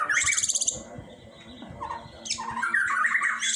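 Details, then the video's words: Long-tailed shrike giving harsh, buzzy squawks and grating rasping bursts, a loud burst at the start and another longer harsh passage after a short quieter gap. "suara burung pentet"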